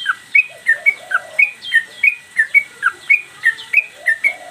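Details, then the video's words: Yellow-vented bulbul (trucukan) singing lively as a master recording for training cage birds: bright, sharp two-part notes, each a high note that drops lower, repeated steadily about three times a second, with a faint lower warble beneath. "Trucukan gacor mbandul"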